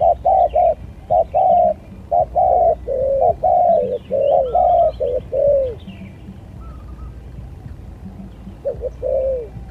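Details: Lure spotted dove in a luring skill contest, cooing in long runs of hollow, slightly downslurred notes, some merging together, then a pause before a final pair; faint higher chirps of other birds and low background rumble.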